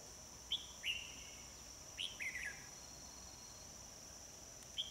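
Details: Red-whiskered bulbul during bulbul trapping on 25 October 2020; short whistled notes and brief warbled phrases around a few notes each, spaced irregularly, with a steady high insect whine throughout.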